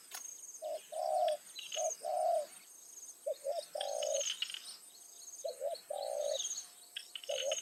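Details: Spotted dove calling as a decoy in the evening to lure wild doves. Low paired notes lead into long rolling coos, repeated several times. Higher chirps from other birds and a thin high insect buzz are also heard.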